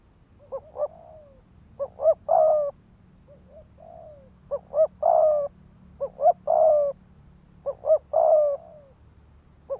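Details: Spotted dove decoy cooing, used to provoke males into fighting: repeated phrases of two short soft notes followed by a longer, fuller coo, phrases spaced about two seconds apart.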